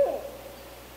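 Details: A barred owl, shown with her young in Canada, gives a single low, mellow hooting note that fades within a fraction of a second, over a quiet background.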